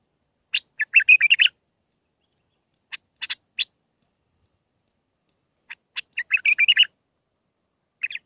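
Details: Training song for young bulbuls in the Mandalawi style with six phrases: three bursts of sharp chirps and rapid warbled, slurred notes, separated by pauses of about two seconds, in an otherwise quiet background.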